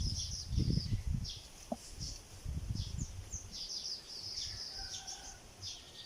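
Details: A sparrow building a nest of palm leaves gives short, high chirps in loose bursts, about two a second, over steady low rumbling and thumping noise.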